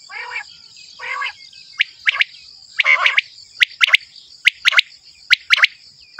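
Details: Male common quail calling: sharp, clipped notes in quick groups of three, each group about a second apart, after a few broader harsh bursts at the start; a steady high insect hum runs throughout.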